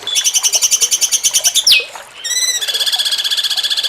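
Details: Cucak cungkok in the jengking munting style, recorded as a master track for training competition songbirds. A rapid, pulsing high trill breaks into a sharp, descending squeak, then a short stacked whistle, then the pulsed trill resumes.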